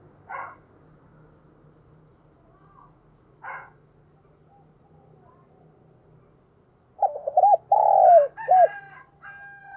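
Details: Decoy spotted dove used to lure wild birds: two brief rough calls spaced a few seconds apart, then a run of low hollow coos with wavering, bouncing notes near the end over a faint background hum.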